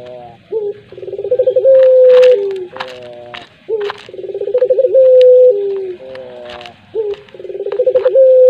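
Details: Collared dove of the puter pelung type repeating its coo phrase three times, each a sharp start, rapid throbbing coos and a long even note sinking lower, with clicking and knocking noises in between.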